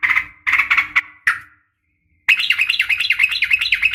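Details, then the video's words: Yellow-vented bulbul, a female calling to a male in fighting style: dense scratchy chatter bursts, a short pause, then a continuous, rapid, bubbling warble of repeated notes. "trucukan gacor SUARA NGGARUDA TARUNG ROPEL"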